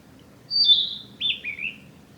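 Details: Male narcissus flycatcher singing along the Hinata forest road on 15 May 2021: a clear whistled phrase starting high and sliding down, followed by two or three shorter falling warbled notes, over a quiet background.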